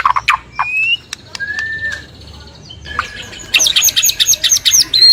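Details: Varied white-rumped shama song used as a morning prompt for other shamas: sharp clicks, thin drawn-out whistles, then a dense rapid sequence of high warbled notes.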